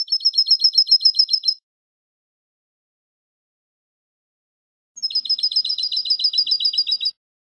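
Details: European goldfinch song recorded for tutoring young birds: two bursts of fast, even, high tinkling trills about four seconds apart, each a rapid metallic chatter, separated by silence.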